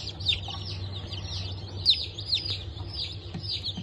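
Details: A brood of freshly hatched Bantam Cochin and Sussex chicks (03.11.2024) peeps loudly, with sharp descending chirps standing out from a busy background of cheeping and a low hum.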